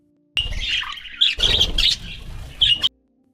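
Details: Budgerigar, an Australian parakeet, giving a busy scratchy chatter of rapid squawky notes and warbling bursts for about two and a half seconds, with a low steady hum underneath.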